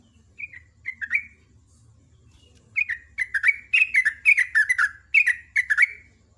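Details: Sooty-headed bulbul singing in the morning in the lively ropel ngecruk style: short bubbly whistled phrases, each dropping in pitch, in a brief opening burst, then a quick run of about a dozen notes after a pause.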